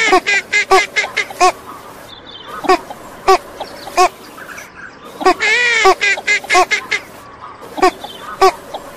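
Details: Female northern shoveler giving a run of nasal quacks, quick clustered ones at first, then spaced single quacks, with a longer drawn-out call partway through.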